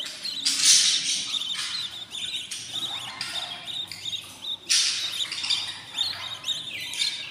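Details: Budgerigar chicks on day 14 in a new nest, giving dense, harsh, high squawking and chirping calls that overlap continuously, with louder bursts near the start and again around the middle.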